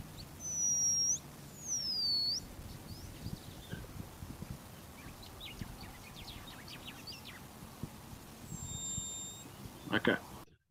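Short-clawed Lark, eastern dialect: two loud, high, thin whistles, each sliding downward, then softer scattered chirps and a faint high whistle near the end.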